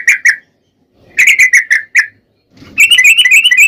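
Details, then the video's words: Sooty-headed bulbul singing a long rapid trill as a lure for other bulbuls: two chirps, then five quick bubbly notes, a pause, and a continuous fast chattering run that climbs slightly. "trucukan gacor ROPEL PANJANG pancingan trucukan agar bunyi"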